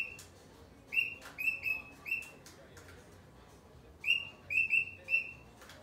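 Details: Cockatiel uttering two clusters of three to four sharp, piping chirps separated by a pause, with a few soft clicks in between.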